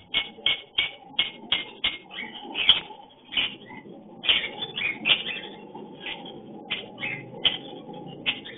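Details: Lovebird breeding call during mating, sharp high chirps repeated about every half second in a steady series, with softer chatter between and low background hiss.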